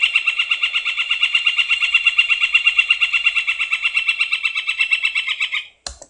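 Northern Flicker giving its long call: a rapid, even series of loud, ringing chuck notes held for nearly six seconds, ending with a brief click.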